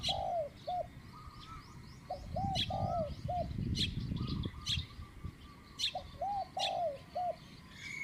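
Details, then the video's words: Decoy-lured spotted dove giving its medium-pitched coo: two phrases of soft rounded coos, several notes each with a longer drawn note, amid sharp high chips from another bird and low rustling noise. "ต่อนกเขาใหญ่เจ้าตี๋เล็กจัดเชลย 1 กุ๊กเสียงกลาง"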